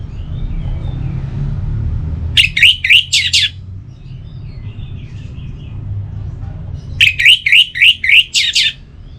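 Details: Orange-headed thrush singing, played morning and evening to spur other birds into song: two bursts of rapid, clipped, repeated whistled notes, several seconds apart, over a steady background rumble.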